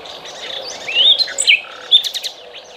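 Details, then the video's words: Birds singing on a river's banks in the morning: a short sequence of bright rising and falling whistles and sharp chirps over a soft background murmur. "Paseo entre cánticos de los pajaros en el rio.Walk between songs of the birds in the river."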